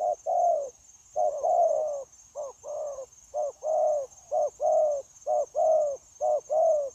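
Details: Spotted dove, a wild-caught bird used for trapping on 9 January 2024, delivering unbroken 'gù' cooing: soft low double notes, a brief clipped note followed by a drawn-out sliding coo, roughly every second against a constant thin high whine.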